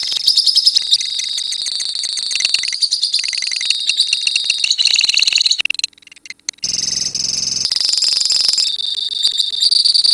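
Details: Long ngekek song from a lovebird colony: continuous high, rapid rattling trills for about ten seconds, a brief dip near the middle, then renewed shrill chatter over a faint low hum.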